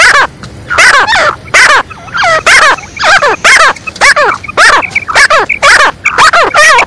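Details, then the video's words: Female black francolin giving a lively 'masti wali' call: loud, harsh harmonic notes with falling sweeps, repeated in quick uneven bursts of two or three, with faint brief chirps between them. "kala teetar madi ki awaz |masti wali awaz |mix awaz |kali madi ki awaz"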